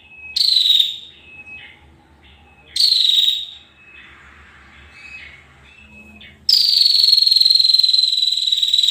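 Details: Two brief, high, dry rattling trills from a female bar-winged prinia, each sliding slightly downward, separated by thin whistled notes. After a pause comes a longer sustained buzzy trill. A soft low hum stays in the background.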